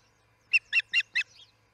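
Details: Osprey at the Charlo nest at 6 am on July 4, 2018, starting its day: four loud, sharp chirps in quick succession, each with a slight upward inflection, ending in a softer trailing note, against a quiet background.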